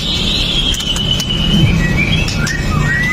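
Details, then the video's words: White-rumped shama (murai batu pastol, sharp fighter), song used to rouse other males, phone-recorded: a long high drawn-out whistle slowly falling, followed by short rising notes, over steady hiss. "MURAI BATU PASTOL JAHAT BIKIN MURAI LAIN TIDAK BISA DIAM! | SHAMA BIRD"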